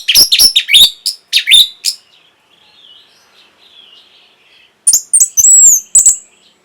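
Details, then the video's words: Orange-headed thrush song played to stimulate breeding condition and provoke a reply: loud, buzzy, high chattering bursts, a quiet pause with soft warbling, then sharp whistled notes and rapid trills. "NYANYIAN BURUNG PUNGLOR PEMBANGKIT BIRAHI AGAR KENCENG YANG PASTI 100% BAKAL NYAUT"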